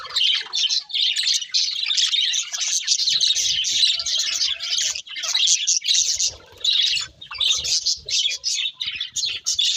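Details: Chattering song from a group of budgerigars feeding: rapid squeaky twitters and buzzy notes run almost nonstop, with a short lull near five and seven seconds.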